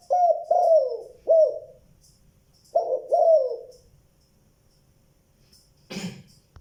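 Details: Spotted dove cooing in low, mellow notes, two short series of downward-sliding coos, followed by a brief rustling knock near the end.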